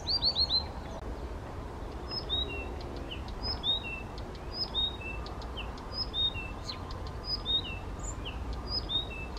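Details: Spontaneous song of a male Blyth's reed warbler, first Czech record, Bukovský pond near Těchařovice, 19 June 2014: a quick opening trill of descending notes, then unhurried repeated whistles, slurs and clicks with short gaps, over faint rumble.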